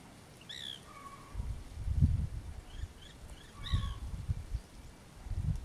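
White woodpecker giving shrill, nasal, downward-sliding calls in two bursts about three seconds apart, with a few fainter notes between, over heavy low rumbling wind noise.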